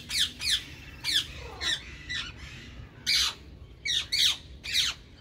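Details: Green ringneck parakeets in a colony give a steady series of sharp, rasping squawks, roughly two per second, over a low rumbling background.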